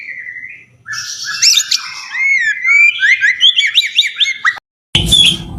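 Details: White-rumped shama (murai batu) song material for competition birds: a rich run of varied whistled notes, rising and falling slurs and rapid chirps, mostly high-pitched, ending after a brief silence with a short burst of harsh noise.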